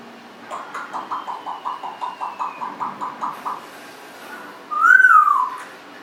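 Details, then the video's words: Congo African grey parrot, 1.5 years old, kept as a pet, vocalizing indoors: a run of about fourteen quick, evenly spaced low hoots, a faint thin whistle, then a louder upward-bending whistled note near the end. "Abaddon talking, burping, lots of vocalizing."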